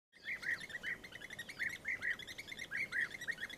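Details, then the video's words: European bee-eaters in Kruger National Park give liquid, rolling 'prruip' notes in quick succession, several each second, with overlapping voices suggesting more than one bird; a faint hiss underneath. "European Bee-eater call / sound"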